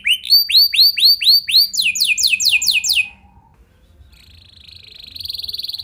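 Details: Canary song used to spur other canaries into singing. Looping upward-curved whistles are followed by a run of rapid falling notes, a short silence, then a thin, high buzzy trill rising in loudness.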